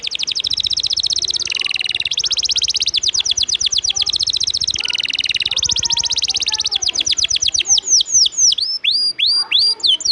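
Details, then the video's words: Canary singing as training material for competition birds: long blocks of very fast buzzy trills at shifting pitches, giving way at the end to separate sweeping whistled slurs. "Masteran burung kenari isian ngejos..pedas"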